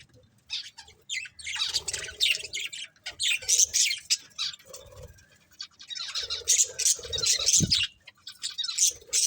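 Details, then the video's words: A happy budgie colony in full chorus: long, dense runs of high chirps and chattering squawks, broken by brief quiet gaps, with a low thump near the end. "Cute Budgies Chirping Sounds"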